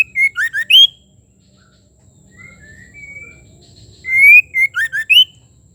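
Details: Female white-rumped shama calling to stimulate the male to sing: two loud whistled phrases of rapid falling and rising notes, with a quiet pause and soft distant whistles between.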